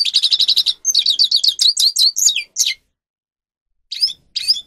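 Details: Training song of a grey-crowned goldfinch: a fast even series of high chips, then rising and falling slurred whistles, a pause, and two more twittered notes.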